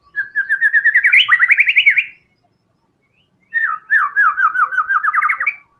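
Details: White-rumped shama in energetic tembakan song: two long phrases of quick repeated whistled notes, starting steady and speeding into rapid zigzag slurs that climb in pitch.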